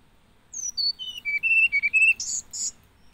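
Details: Hill blue flycatcher singing a bright descending whistle series, notes dropping step by step, then closing with two buzzy high-pitched bursts.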